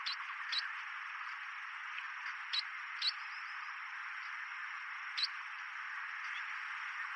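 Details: Chestnut munia (Lonchura atricapilla), Donggang Township, Taiwan, 11 May 2023, gives thin, high, short call notes at irregular intervals, about five in seven seconds, over a steady hiss and a constant high whine.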